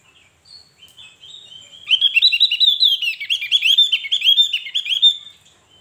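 Javan grey-throated white-eye giving a fast, high, tumbling warble of rapid chirps and twitters after a few thin opening whistles; no other sounds.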